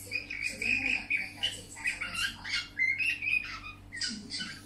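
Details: Budgerigar song from a pet bird indoors, a run of chattering warbled phrases with bright whistled notes and clicks, rising and falling in uneven bursts, with a low constant hum underneath.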